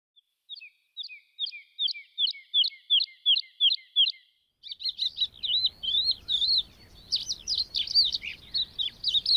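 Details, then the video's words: A lark in grassland sings high, clipped paired notes about twice a second, then breaks into a fast, tumbling warble of varied twittering phrases over a low rumble of wind. "a Larks Birdsong"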